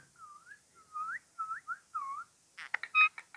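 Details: Pet green rose-ringed parakeet, kept as a talking bird, giving a short series of clear whistled notes that swoop and slur upward, followed by a few sharp clicks and a squeaky burst in a small room.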